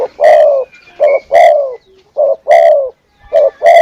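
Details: Spotted dove lure call (suara pikat), called the crispest: low, full coos in short phrases, a brief note then longer drawn notes that slide slightly downward, repeated about every second, with a faint thin whistle behind.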